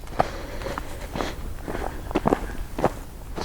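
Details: Footsteps crunch and rustle at an uneven pace outdoors at night, with no bird or other animal voice heard.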